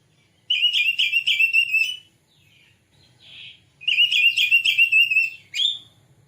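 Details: White-rumped shama lure recording meant to bring on singing and tail-spreading: two loud bursts of rapid, rich repeated whistled notes, roughly four per second, separated by a brief quiet gap with a soft buzzy note.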